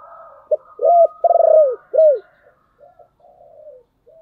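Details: Spotted dove singing as a decoy for wild doves. A clipped note, a rising-falling coo, a fast stuttering pulsed coo and an arched closing coo, followed by soft low coos, over a faint steady higher tone.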